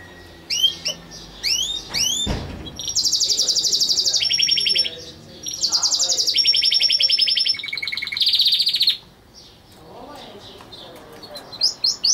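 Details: Pet canary singing: sharp rising chirps, then long rapid rolled trills at varied pitches, each held one to two seconds and separated by brief pauses, with a short burst of fast notes at the end.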